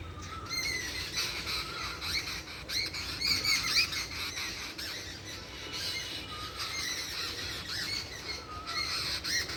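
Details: Many birds chattering at once outdoors: a continuous jumble of high squeaky chirps and short whistles over a hissing background.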